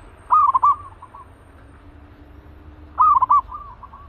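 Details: Fierce caged zebra dove, ready for use as a trap decoy, giving two short, soft, rolling coo phrases about three seconds apart, each a quick stutter of mellow notes, over a faint low hum.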